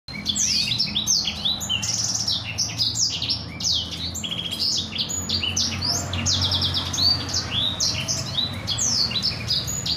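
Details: Black-throated canary (blacksang) in lively rolling song, kept as a master song for canaries to learn: dense, fast run of high whistled and trilled phrases, repeated notes tumbling over each other continuously, with a low hum underneath.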